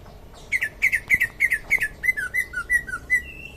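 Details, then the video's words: Champion greater green leafbird from Indonesia singing rapid bright whistled notes, first a tight run of harsher chirps, then a descending-and-rising sequence of slurred whistles ending on a higher sustained note. "Cucak ijo juara"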